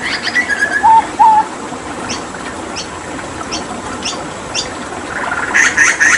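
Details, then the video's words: Papuan hooded butcherbird in full song during bathing gives short, clear whistled notes at the start and again at the end, with soft clicks and faint chirps in between. "Masteran Tembakan JAGAL PAPUA gacor"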